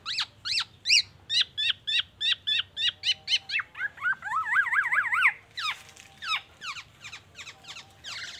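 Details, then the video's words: Black-naped oriole mimicking oriental magpie-robin and an ambulance siren: a fast, steady string of clipped whistled notes, about four per second, then a wavering rise-and-fall siren-like trill and louder swooping whistles. "KEPODANG EMAS TELER BONGKAR ISIAN MURAI BATU DAN SIRENE AMBULANCE"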